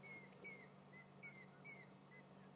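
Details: A large flock of African grey hornbills, unhappy at a raptor (an eagle) with fork-tailed drongos nearby, gives thin, plaintive whistled notes during a sunset safari, several overlapping each second, over a low steady hum.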